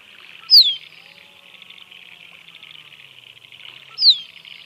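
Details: A musk duck repeats a piercing falling whistle twice, roughly three and a half seconds between them, above steady hiss.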